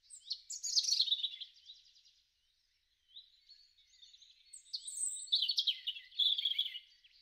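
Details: European robin singing in the garden in spring, March to April 2013: long, loud cascades of high, tumbling warbles and trills, broken by a brief silence before another rich, wavering phrase.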